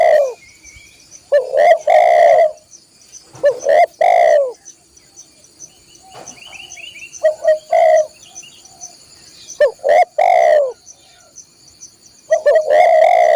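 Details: A spotted dove sings for training caged birds, its loud drawn coos spaced by quiet gaps of several seconds. Softer chirping notes and a persistent high insect-like buzz fill the pauses.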